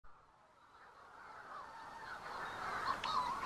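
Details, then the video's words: Manx shearwaters near the Bardsey Bird and Field Observatory on Bardsey Island give harsh, crooning calls that overlap into a steady, rhythmic chorus and grow louder over a few seconds. "The Sound of Manx Shearwaters"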